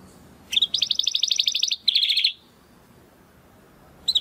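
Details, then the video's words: Belgian canary singing two short bursts of rapid buzzy trills against a low background hum, then quiet, with a final brief note. "CANÁRIO BELGA CANTANDO ESTRALANDO !"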